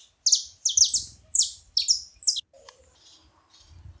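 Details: Saffron finch at a bait feeding spot giving six sharp, high, downslurred chirps in two seconds. Quieter, muddled sounds follow.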